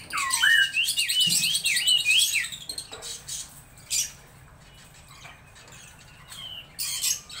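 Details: Laughingthrush opening with a quick series of looping whistled notes for about two seconds, followed by quieter scattered clicks and knocks.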